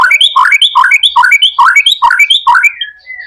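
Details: Singing white-rumped shama, a lure recording meant to provoke other shamas to sing: one short rich phrase of rising and falling notes repeated about every half second, ending in a thin, drawn whistle.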